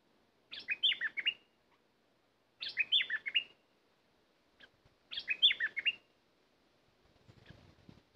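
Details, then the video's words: A decoy bulbul used to attract wild birds repeats the same quick, warbling phrase three times, about every two and a half seconds, with faint rustling at the end. "Burung merbah lekir bay hoach thom gacor bahanan"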